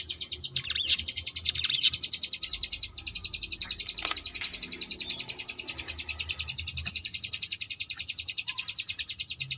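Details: Sunda bush warbler (ciblek gunung) tutor song in the ngebrem style for contest birds: a few loud sweeping chirps early, then a long, very fast, even buzzing trill of high pulses, soft low noise underneath.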